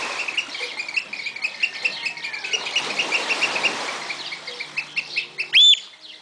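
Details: Oystercatchers at Walsrode, Germany, give rapid, shrill piping notes, many in quick succession, ending with one loud ringing 'kleep', over a steady hiss of wind or surf.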